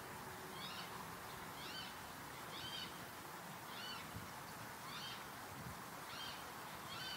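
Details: Water rail (Rallus aquaticus) at Sangweiher pond, Eifel, Germany, early August 2022, giving a series of short, sharp, nasal notes about once a second, seven in all, over a steady rushing background hiss.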